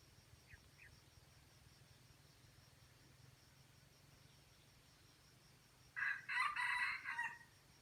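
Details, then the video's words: Red junglefowl from Aceh in a crowing contest with a decoy bird: after a long quiet stretch with two faint chirps, one short, harsh, harmonic-rich crow bursts out loudly near the end and lasts about a second. "Ayam Hutan Aceh # Perang Kokok dengan pikat"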